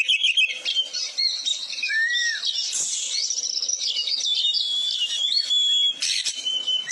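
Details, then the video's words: Steady, full Oriental magpie-robin song used to tutor other birds: a continuous stream of high chirps and scratchy notes, with a clear downslurred whistle near two seconds and a long level whistle toward the end. "Masteran isian ful burung kacer gacor"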